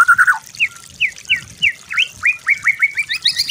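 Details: White-rumped shama master song for training other birds: a clear whistle, then a series of short, sharp upslurred notes repeated several times a second, over a soft low murmur.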